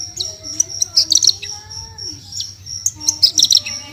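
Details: Javan bush lark tutor song for Indonesian cagebird keepers: soft sustained high whistles broken by clustered sharp chirps near the start and end, with faint lower tonal lines and a steady low hum in the background.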